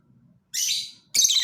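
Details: Lovebird giving two loud, harsh, high screeching bursts, each about half a second long and separated by a short pause, over a faint low hum.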